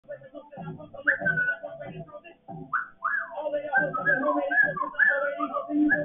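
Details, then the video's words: A pet African grey parrot, in its first attempt at "freestyle rap", babbles in speech-like rhythmic bursts broken by quick rising and falling whistled swoops, in a quiet indoor room. "My bird can rap better than some of these new rap artists you hear on the radio."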